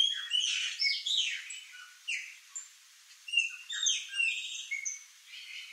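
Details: A flock of Chopi blackbirds at fruit trees in a backyard gives a busy jumble of loud, liquid whistles and sharp chirps, overlapping notes tumbling over each other several times a second.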